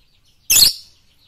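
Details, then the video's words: A lovebird gives one sharp, harsh, high shriek lasting about a quarter second, taken from a masteran training recording for morning, noon and night play. "masteran Lovebird pagi siang dan malam"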